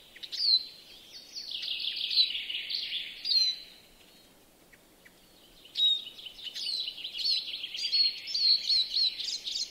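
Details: European greenfinch singing in a yard in Joroinen, Finland: two bursts of rapid twittering trills and buzzy notes around the upper-middle range, separated by a quiet gap of about two seconds, with sharp whistled notes mixed in.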